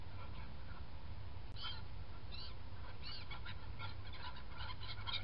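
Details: Black-headed gulls feeding and flying on 21 January 2017 give short, harsh, rasping cries, several overlapping in quick succession, over a steady low rumble of wind and background noise.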